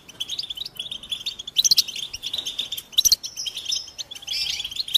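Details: European goldfinch song of quick, jangling chirps and twitters, broken by short pauses, with a few louder sharp notes and a sustained buzzy, nasal phrase toward the end.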